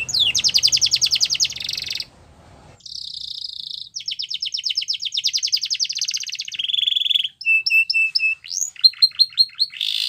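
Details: Canary training song: long rapid trills, a buzzy flat tone, more fast rattling runs, then low steady notes and short chirps, with some low rumble at first.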